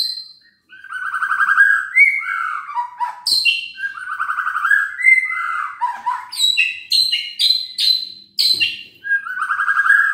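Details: Captive white-rumped shama, song meant to rouse lazy, silent birds: a long varied stream of rich warbles, fluty slurs and rapid high chips, with mimic-like phrases shifting pitch nearly every half second.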